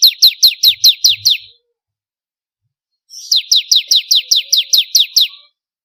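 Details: A bar-winged prinia, recorded as master song for training contest birds, gives two rapid runs of shrill, steeply descending notes, about eight then eleven, with a quiet pause between and a faint low thump.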